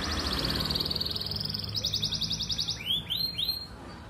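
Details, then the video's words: Canary singing: a long, fast buzzy trill of repeated high notes, then a second trill, ending in three clear upward-swept whistles, over a faint low hum. "kenari gacor"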